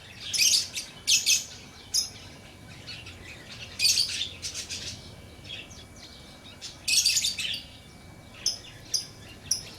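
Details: Lovebird calling in loud, piercing, high chirp bursts, each a rapid cluster of shrill notes, spaced a couple of seconds apart with softer clicks and chips in between.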